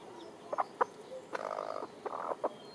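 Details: Hens with chicks dust-bathing: a domestic hen gives sharp single clucks, then two longer rattling, buzzy clucks in quick succession, with faint high peeps in the background.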